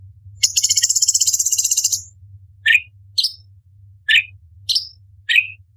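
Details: Orange-bellied leafbird sings a fast, buzzy high trill lasting over a second, followed by single sharp rising chirps spaced about half a second to a second apart; faint low hum throughout.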